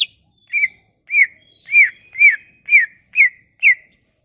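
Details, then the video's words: Sumatran leafbird song used to lure leafbirds into singing: a regular run of arched, downward-slurred whistles about every half second after a brief high opening note. "Kicauan ini MAMPU memikat cucak ijo MACET bunyi"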